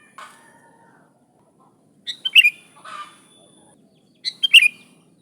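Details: Sooty-headed bulbul calling, unaltered, used as a lure: a soft note, then two bright rolling phrases of several chirps, with a fainter burst between them.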